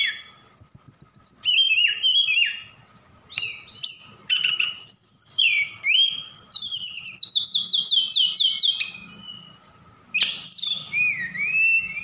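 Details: Lively Javan bush lark song recorded in Sukabumi, rich in mimicked phrases of cililin and sikatan londo: a fast run of varied high whistles, slurred downward sweeps and rapid chattering series, with brief pauses between bursts.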